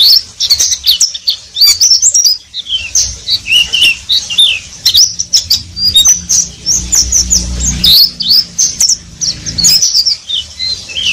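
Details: Oriental white-eye in ngeriwik song: a dense stream of high, bending, squeaky whistles and chatters in rapid bursts, broken by short gaps, with light clicking and a low hum underneath.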